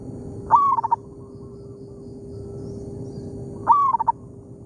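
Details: Wild zebra dove, locally called perkutut, singing in an oil palm plantation while answering a decoy bird; two soft, cooing phrases, each a short rising note followed by a falling trill of beats, about three seconds apart, with steady low hum.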